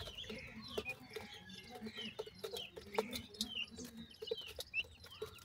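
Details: Francolin chicks fed by their parents, chirping constantly; many brief high descending peeps overlap, backed by steady soft clucks and rapid clicks.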